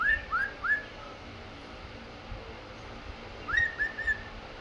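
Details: Male cockatiel courting a female while dancing, whistling short rising notes in two quick bursts as a courtship song.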